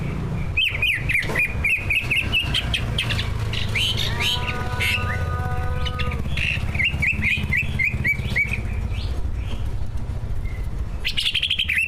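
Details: Greater green leafbird, one of two competition birds, singing a full mimicry song to set off other leafbirds; fast chattering whistles, a steady stacked tone midway, constant low hum.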